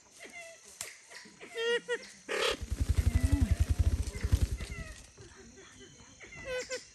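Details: Siamese fireback calls: scattered harsh, falling notes, interrupted midway by a loud burst and a deep, rapid throbbing pulse lasting about two seconds, then quieter clucks resuming.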